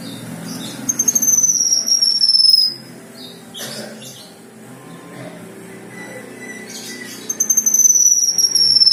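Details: Black-winged myna (kinoi) singing actively, a song given as rich 'isian' fill-in material: a long, high, thin whistled phrase with a pulsing trill quality that slides slightly downward. It is given twice, with a quieter stretch of faint chirps and soft background noise between.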